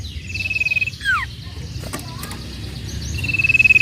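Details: Sooty-headed bulbul sound for provoking rival birds to sing quickly: an even pulsed trill, a sharp falling whistle, soft scattered notes, then the long steady trill starting again.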